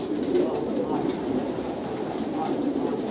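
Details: A short burst of Kolkata pigeons cooing, with low, husky, overlapping coos forming a thick continuous murmur.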